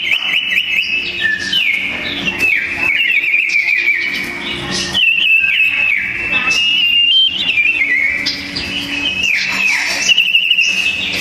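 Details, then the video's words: Sooty-headed bulbul fighting duel with loud, dense singing: continuous stream of bright whistles that wobble, rise and fall in short steps, with two voices overlapping throughout. "Burung sirpu‼️duel maut paling seru"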